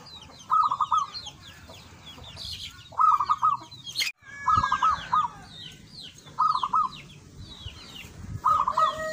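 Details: Local perkutut, the zebra dove, in lively song: five short bubbling coo phrases, each a quick run of about five notes, spaced two to three seconds apart. Many small birds twitter high above, with a brief knock midway.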